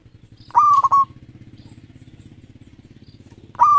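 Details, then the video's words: Local zebra dove, 13 tail feathers, sings a ringing stuttered coo and begins another, over a steady low engine-like drone. "Perkutut Lokal Gacor Ekor 13"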